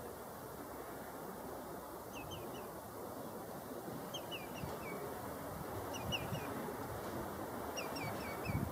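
Black-tailed godwit giving short, nasal bursts of three or four quick notes, repeated about every two seconds over steady wind noise.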